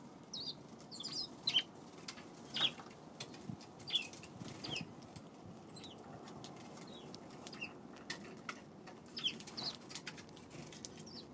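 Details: Eurasian tree sparrows on 2 March: scattered short high chirps at irregular intervals over eleven seconds, with soft clicks and a steady low background rumble.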